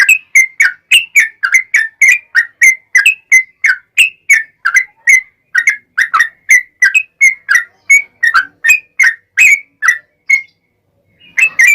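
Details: Yellow-vented bulbul singing a long rolling 'ropel panjang' sequence in 'gacor' style, used to prompt other bulbuls to reply: a rapid, unbroken run of over thirty short bubbly chirps, about three per second, ending in a brief pause.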